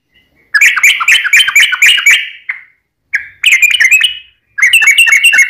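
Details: Chatty yellow-vented bulbul, fighting 'ropel' style used to provoke other bulbuls: bursts of rapid, bubbly warbled notes, each run about two seconds, separated by short silences.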